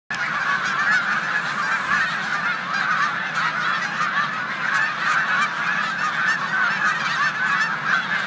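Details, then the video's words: Large flock of snow geese resting before migrating to the Canadian tundra, mixed with resident Canada geese in a corn field in Savannah, New York, on 14 March 2020; a dense, continuous clamour of overlapping nasal honks and yelps throughout. "Snow Geese Invade Canadian Geese in corn field"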